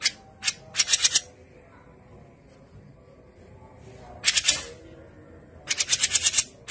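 Grey-cheeked bulbul giving harsh, buzzy bursts of rapid chattering notes, three phrases each about a second long, separated by pauses over a low background hum.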